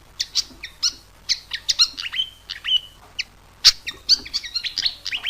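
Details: Pied fantail song as a lure for catching birds: irregular high chirps mixed with brief upward whistles and an occasional loud sharp note.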